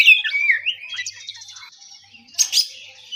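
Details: Oriental magpie-robin (kacer) singing in relaxed ngeplong style in the morning: a loud run of varied whistled slurs and trills in the first second and a half, then fainter twittering and a short burst near the end.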